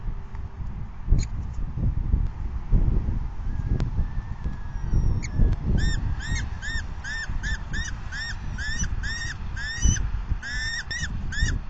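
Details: Falcons begging at the nest during the fifth feeding of the day, 9 May 2020, at 4:40 PM. Rough, harmonic squealing calls start after about five seconds and repeat quickly, roughly two or three per second, over a steady low rumble of wind or handling noise.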